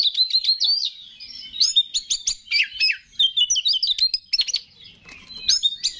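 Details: Oriental magpie-robin (kacer), a competition songbird in active 'gacor' singing, used as a lure to stir other kacer into singing. Loud, varied song of rapid sweet whistles, sharp chips and rising and falling slurred notes in dense bursts with brief pauses.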